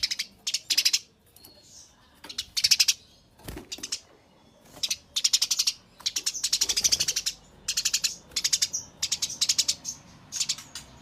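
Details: Fighting Eurasian tree sparrow: short bursts of sharp high chirps in quick clusters, separated by brief gaps, over a faint background hiss with one low thud.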